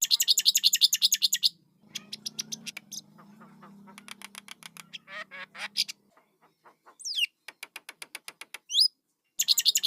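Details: Starling chicks open with a rapid harsh rattle, followed by mixed raspy notes, clicks and thin swooping whistles, and close with another loud rattle; a low hum persists.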